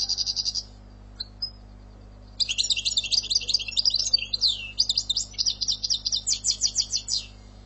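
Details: Song of a European goldfinch in Algerian style. A brief buzzy trill comes first, then after a pause a long stream of jangling twitters and swooping notes ends in a series of evenly spaced, rising chirps.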